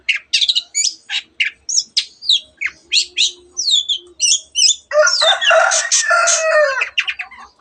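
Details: Long-tailed shrike in energetic mimicry song, copying canary and many other birds. Rapid, varied chirps and twittering slurs follow each other about three times per second, then give way to a loud, harsh, grating chatter.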